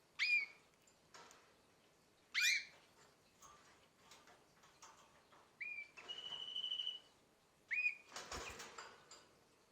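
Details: About nine-month-old canary mixing quick rising chirps with a longer steady whistled note lasting nearly a second, plus scattered clicks and a clattering knock, the calls spaced a second or two apart.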